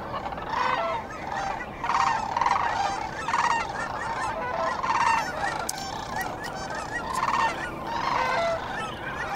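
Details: Sandhill cranes at dawn on the Cosumnes River, a large flock calling together: overlapping rolling, trumpeting notes rising and falling in waves every second or two, with constant background chatter from many birds.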